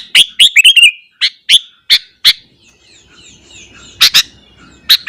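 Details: Morning song of a sooty-headed bulbul, delivered to provoke rival bulbuls: a rapid burst of sharp, ringing notes and a short rolling flourish, then spaced, emphatic chips with brief pauses between them.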